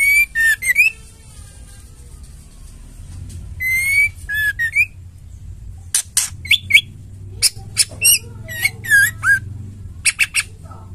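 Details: Female white-rumped shama, a caged bird played to stimulate males to sing; clear whistled phrases of rising, slurred notes near the start and middle, then a run of sharp chips, squeaks and upswept whistles with short pauses.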